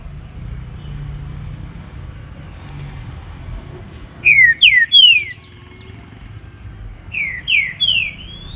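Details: Morning song of a trinca-ferro (green-winged saltator) in baruc style: a loud phrase of three downward-sliding whistles, a short pause, then a softer answering phrase of three similar whistles.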